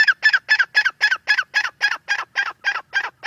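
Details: Francolin giving a rapid, even series of hoarse, grating notes, about four per second, steady and unbroken with no other sounds.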